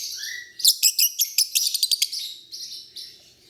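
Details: Lovebirds chirping in a rapid run of about a dozen bright, clipped chirps, preceded by a thin rising whistle and trailing into softer buzzy notes.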